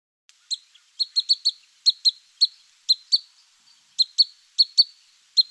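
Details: Pygmy Nuthatch in forest by Metcalf Creek, Big Bear Lake, California, 9 September 2020, giving its little yipping call: high, squeaky notes, single or in quick pairs, about sixteen in five seconds at an uneven pace.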